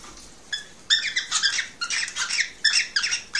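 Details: Male cockatiel singing to stimulate a female to mate: bursts of harsh, harmonic chattering notes, with a short pause early on, then dense warbled phrases repeated about twice a second.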